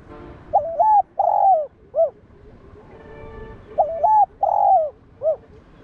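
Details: Cooing spotted dove, known locally as cu đất, used to stimulate other doves: two phrases of two mellow hoots and a brief closing note, separated by a pause of roughly three seconds, faint background hum.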